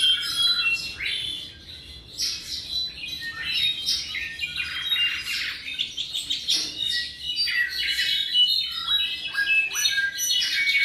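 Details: Tropical mockingbird, about seven months old, sings in bursts of varied notes: buzzy chatters, sharp chirps and short slurs, about two per second, separated by brief pauses.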